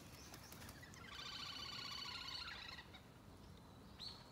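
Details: Domestic duck calling: a rapid run of nasal, harmonic-rich notes, about four per second, lasting roughly two seconds, followed after a pause by a single short rising note, over steady outdoor background noise.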